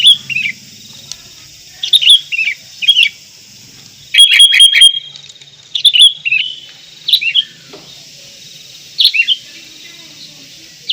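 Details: Sooty-headed bulbul singing in Indonesia: short bubbly slurred phrases spaced every second or two, with one denser rattling burst midway, over a quiet steady background.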